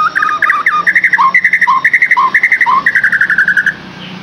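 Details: Song of the white-rumped shama, played to prompt a captive bird into singing: rapid, rhythmic chattering notes repeated several times a second, broken by lower dipping notes, then fading at the end.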